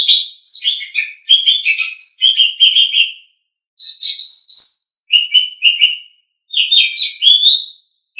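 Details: Lively Asian pied starling song from a recording used to train cage birds, with dense runs of varied whistles, chirps and warbled phrases broken by two short pauses, in quiet surroundings.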